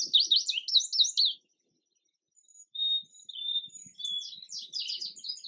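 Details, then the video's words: Indigo bunting song: quick, high, sweet notes often paired, one burst of sharp phrases, a pause, then thinner whistles and another tumbling run. "Indigo Bunting Song"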